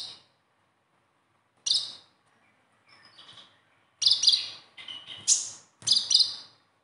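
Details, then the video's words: Sunbird, locally called konin or kolibri ninja, in 'besetan' style song meant to prompt a captive bird to sing, with short, very high, thin chirps and squeaky bursts separated by pauses of one to two seconds. "SUARA KHAS KONIN"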